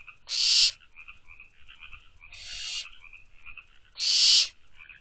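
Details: Nest-box barn owl owlets at night, 24 May 2023, 12:24 am: two loud, breathy hisses at the start and end with a weaker, longer hiss between, over faint, steady high-pitched trilling.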